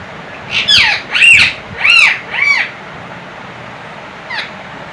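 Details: Pair of talking parrots: four loud, arching, squawk-like vocal notes in quick succession, then a short quiet note, over a faint background hiss.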